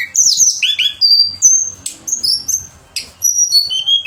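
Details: Pied fantail pouring out a varied contest-training song of clear whistles, some falling and some held steady, with brief sharp chips between phrases.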